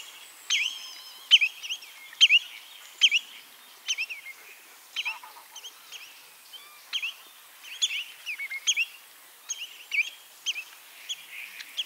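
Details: Spotted redshank (Tringa erythropus) call: repeated sharp, high whistled notes in quick, uneven bursts, over a soft steady background hiss.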